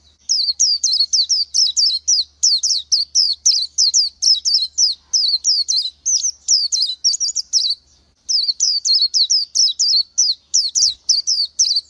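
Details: Oriental white-eye singing a long, fast run of high, thin, down-slurred chirps, about three to four each second, with one brief break near the middle and no other sounds.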